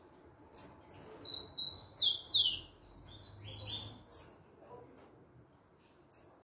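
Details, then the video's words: Singing rufous-collared sparrow giving a bright phrase of steady high whistles followed by paired down-slurred notes, mixed with very high thin chips, repeated across several seconds; faint low hum beneath. "tico tico cantador"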